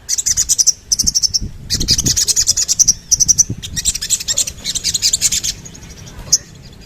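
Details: Sooty-headed bulbul song: bursts of rapid, high, scratchy chattering trills separated by short pauses, with a faint low rumble underneath.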